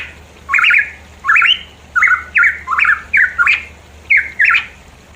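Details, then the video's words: A pitohui in the mountains of East Java gives a run of short, slurred notes rising and falling in a mid-high register, about twice a second in uneven bursts, with a faint steady hum underneath. "pancingan ampuh burung pitohui"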